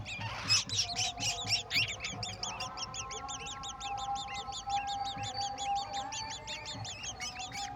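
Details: Golden oriole feeding a mantis to its chicks: rapid, overlapping series of high, arched chirps repeated several times a second from multiple birds, a constant busy twittering with low background rumble.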